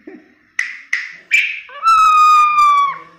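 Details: Crested myna, a rare and sought-after songbird, singing for use in training other birds: three harsh rasping notes, then a long, clear, slightly falling whistle with rich harmonics.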